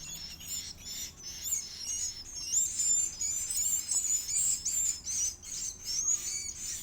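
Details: Edible-nest swiftlet chick begging while being fed: a dense, continuous stream of very high, thin chirps and short buzzy notes that pulse in quick bursts several times a second without pause.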